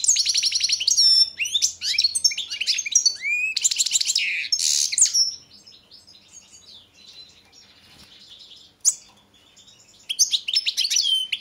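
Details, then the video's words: Balkan goldfinch, Carduelis carduelis balcanica, singing for a 2022 song championship: long run of quick tinkling twitters and buzzy trills, a low-level rattling lull, one sharp note, then a final lively twittering flourish. "Pesma štiglića 003/22 World Championship in Goldfinch Song"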